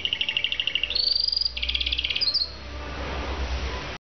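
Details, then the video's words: Singing canary delivering fast pulsed trills, stepping from one rolling tour to a higher, piping series and then a buzzier rapid roll, each section about half a second to a second long, over a steady low hum. "kanarini song"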